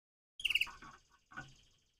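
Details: Crossbred canary singing in the morning: a quick burst of bright rolling chirps followed by a short buzzy phrase, then a second brief twittering note.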